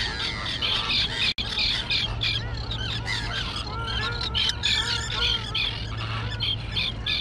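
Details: On an island colony thick with tall grass, young flying terns keep up a constant chorus. Rasping, slightly downslurred cries overlap nonstop, with one abrupt cut and a low humming drone underneath.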